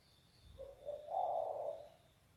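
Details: A distant-sounding spotted dove (derkuku), a bird with a deep bass voice. It gives one low, soft, rolling coo over steady background hiss and a faint high tone.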